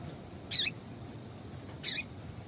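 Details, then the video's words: Female double-collared seedeater call for stimulating males; two sharp chips with a descending buzzy sweep, roughly 1.3 seconds apart, over a low hiss. "Piado de Fêmea de Coleiro para Esquentar Coleiro"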